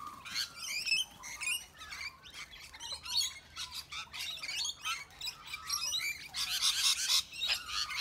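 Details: A flock scene of rainbow lorikeets bullying bigger birds such as cockatoos and bush turkeys: rapid, continuous high chattering and squeaky twitters, building to a dense burst of harsh screeching toward the end.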